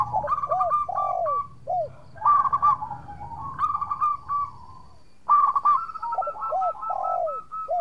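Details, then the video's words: Local zebra dove in energetic song, recording meant to lure rival doves into calling: four phrases of quick staccato notes and curved, drooping coos, separated by quieter gaps. "Perkutut Lokal Gacor Suara Merduk Cocok Buat Pancingan - Bikin lawan langsung Nyaut!!!"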